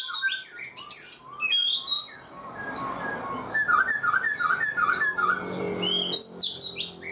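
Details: Caged black-throated laughingthrush of four months sings sharp high whistles, then a rhythmic string of about eight short looping notes repeated evenly, followed by more bright phrases.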